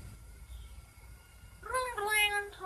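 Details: A talking common hill myna from Chiang Mai, northern Thailand, recites Thai blessings for wealth, well-being and long life ending in "sathu", in a clear, human-like voice with quick speech-like syllables after a quiet start.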